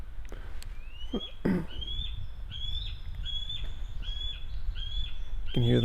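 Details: Bald eagle near its nest in a tree gives a series of about seven thin, high, piping notes, one every second or less, over wind rumble and a man speaking briefly.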